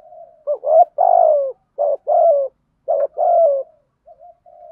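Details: Decoy spotted dove, thúc gù and gáy gọi cooing for luring wild doves: three quick phrases, each a short note followed by a longer, hollow, gently falling coo, ending in faint murmuring coos.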